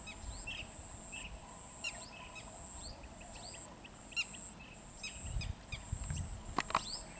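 Blue-tailed bee-eaters give short, trilled chirps scattered over a steady high insect drone.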